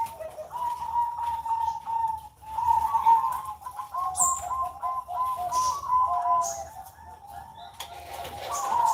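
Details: Caged zebra dove (perkutut) cooing on a Sunday morning: low, rolling, stuttered coos in long runs of rapid beats, with faint chirps of other small birds in the background.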